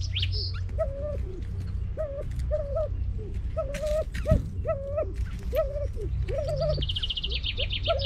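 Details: Edwards's pheasant, thought extinct in the wild and part of a reintroduction project for Vietnam, calls repeatedly with arched, level mid-pitched whistles about every half second, over a low drone, with a higher bird trill near the end.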